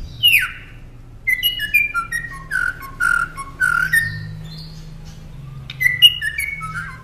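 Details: Northern mockingbird song used to train caged songbirds: clear whistled notes sliding downward, repeated in short series, then a pause before another run of stepped whistles, over a faint low hum.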